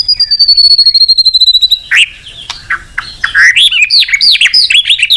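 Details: White-rumped shama, full of varied phrases, singing energetically to stimulate other birds: a long thin high whistle of rapid even pulses, then a jumble of sharp chips and quick looping high warbled notes.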